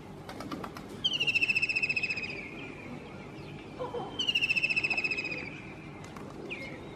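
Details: A white-throated kingfisher singing on a roof gives two loud, rapid, shrill trills, each about a second long and falling slightly in pitch, a few seconds apart, over quiet outdoor background.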